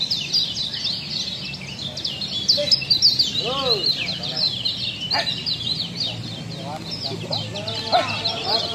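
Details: Lombok kecial song on a recording for training cage birds: rapid, continuous high twittering with a few lower arched calls and sharp notes mixed in, faint hum throughout.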